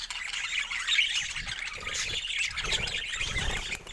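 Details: Budgies chatter in high, overlapping warbles and chirps, while a low rumbling noise enters in the second half.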